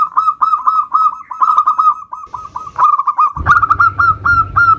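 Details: Zebra dove, local bird in 'nutut' style lure song: continuous trills of short cooing notes, ending in a louder section with a burst of low rumbling noise.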